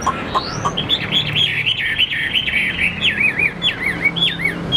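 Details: A captive Chinese hwamei (Garrulax canorus), about 85% tame and not yet in full condition, sings a rich, rapid run of loud whistled and slurred phrases, rising and falling, with a steady low hum behind.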